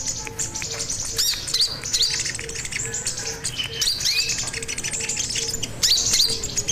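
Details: Sogon song from a master recording for training other birds: dense, bright chirps and rising whistled slurs high in pitch, steady through the clip, over a repeated low tonal beep and background hiss.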